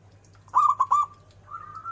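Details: Zebra dove: three loud, quick clipped cooing notes followed by a fainter, slightly higher drawn-out coo, over a steady low hum.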